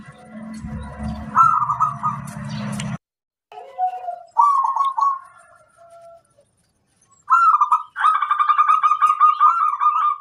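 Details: Local zebra dove singing as a tutor bird: short stuttered cooing phrases broken by silences, ending in a long rapid rolling trill with a fainter higher note band above; a low hum sounds at the start.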